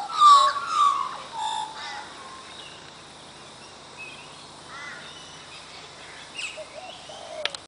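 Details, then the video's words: Australian magpies singing at Coffs Harbour: rich warbled, fluting phrases in the first two seconds, then fainter broken notes and scattered chortles over a steady background hiss. "Magpies Singing"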